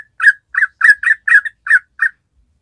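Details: Yellow-vented bulbul, a bird in top singing form, giving a short burst of seven loud, husky, gurgling notes, lower and harsher than a whistle. The notes are spaced about a quarter second apart, then stop.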